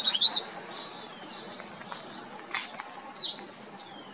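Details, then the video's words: Verditer flycatcher in spring in the Himalaya, perched atop an oak tree and calling loudly before breeding to claim territory; high thin whistled notes, some sliding down, with a brighter warbled phrase near the end. "Most beautiful trilling caller in Himalaya: Verditer Flycatcher warbles its call loudly in spring"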